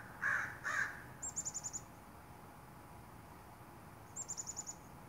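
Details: Northwestern crows in the morning, 29 May 2021, give two loud, harsh caws close together near the start. Two brief, high, rapidly chirping trills from another bird follow over a quiet background.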